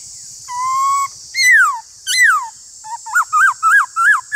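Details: Black-throated laughingthrush dueling in song with another laughingthrush: a level whistle, then loud downslurred whistles, then a quick run of short rising-falling notes, over steady high-pitched hiss.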